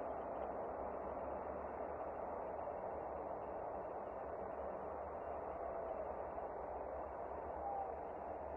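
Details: Steady hiss and low rumble like distant traffic or static, with no clear animal call heard.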